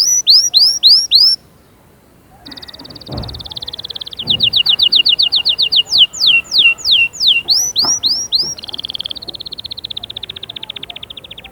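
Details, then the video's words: Canary song to encourage young birds to sing and condition females: looping whistled phrases, a pause, then buzzy trills, rapid rising notes and descending slurs, ending in a fast thin rattle. "غناء وتحفيز خرافي لأجبار الفروخ على التغريد وتجهيز الأناث فورا جربهاcanari bird singing"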